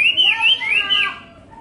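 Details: Brief phrase from a Hwamei: a few smooth, looping whistles that fall away and fade.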